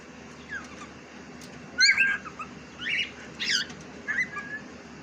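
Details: Short whistled and chirping phrases from a pet cockatiel, said to talk in Urdu, come in four or five separate bursts, with the loudest around the middle of the clip and a soft hum throughout.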